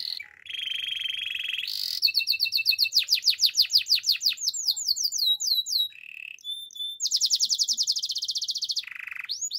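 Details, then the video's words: Canary singing a training song in a relaxing melody, with rolling trills, long runs of rapid downward-sweeping notes about three per second, and short steady whistles between phrases. "Canary's training song"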